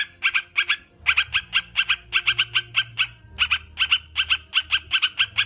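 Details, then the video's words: Sooty-headed bulbul calling in brisk, clipped notes, paired at first, then longer fast runs, separated by short pauses. "Terapi burung crucukan"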